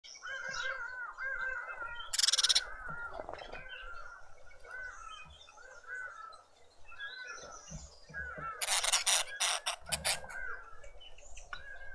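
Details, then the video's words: Karoo thrushes at a birdfeeder in a suburban garden in Pretoria, South Africa: a stream of short, repeated mid-pitched notes, broken by loud, harsh, rasping bursts near the start and again toward the end. "Karoo thrushes with an attitude"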